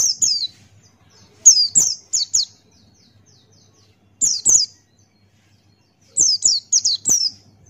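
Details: A Buxtoni white-eye sings open-beaked in the ngalas style. High, shrill descending whistles come in rapid groups of two to four, separated by pauses of about one to two seconds.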